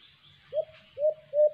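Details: White-eared brown dove, called alimokon, at a cage trap: three short, rising hooting notes spaced about half a second apart, the last one longest.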